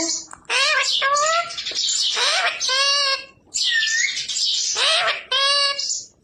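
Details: Pet parrot mimicking human speech indoors, prompted to ask papa for roti. It delivers a long stream of high, nasal, word-like phrases with swooping inflections in several connected bursts over about six seconds.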